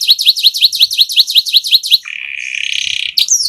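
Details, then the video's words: Canary rolling song for tutoring: about a dozen rising chipped notes in quick series, followed by a low flat buzzing roll and a final sharp whistle. "Suara MP3 Kenari ngerol untuk masteran"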